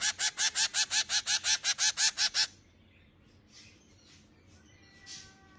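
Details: Finch chicks while being fed: a fast, even series of about thirteen harsh, buzzy, high squeaks over two and a half seconds, then near silence with a couple of faint distant sounds.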